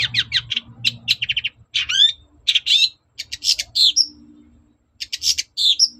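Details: Long-tailed shrike singing to provoke a reply from other shrikes: rapid stuttering chatter and buzzy trills, then rasping notes and clear rising whistled slurs, with brief pauses between phrases.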